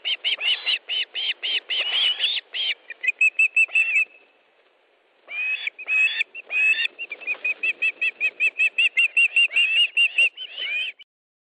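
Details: Osprey calling at the nest during a fish delivery, Estonia, 1 August 2013: bursts of rapid whistled chirps, then a thinner trailing note, a second of silence, and a renewed steady series of piping calls.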